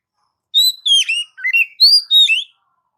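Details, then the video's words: Oriental magpie-robin singing, song meant to excite pet magpie-robins: a quick run of five clear whistled notes, some rising, some falling, with bright harmonics. "Mp3 burung kacer masteran gacor"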